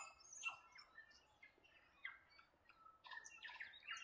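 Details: Waikawa birds heard a little more faintly, giving thin high chirps and short whistled slurs spaced out at first, then a denser run of bright notes toward the end.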